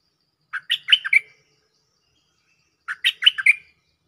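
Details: Chatty cream-vented bulbul calling a mate, a lure recording: two near-identical phrases of five rapid, gurgling notes, each ending on a ringing whistle, repeated about two and a half seconds apart.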